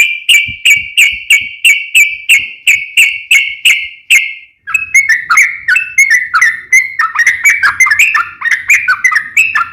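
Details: Sooty-headed bulbul singing vigorously in the nembak ropel ngeplong style. It opens with a rapid even series of sharp ringing notes, then switches to faster, tumbling, bubbly whistled phrases.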